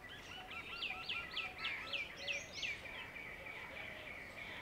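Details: Wire-tailed swallows, a pair using a pool ladder in a Delhi garden as a launch pad for catching insects over the water; a rapid series of sharp, down-curving chips about four per second, then fading, with soft background birds.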